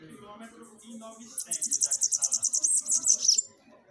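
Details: Bananaquit song for firing up captive birds: a steady, rapid series of about fifteen sharp, high buzzy pulses lasting a couple of seconds, ending in squeakier notes, over low background murmur.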